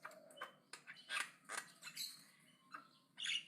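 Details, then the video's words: Javan myna singing aggressively: a jumble of raspy clicks, squeaks and harsh notes, ending in a louder scratchy burst, over a faint low hum. "BURUNG JALAK KEBO AGRESIF NGOCEH KENCENG"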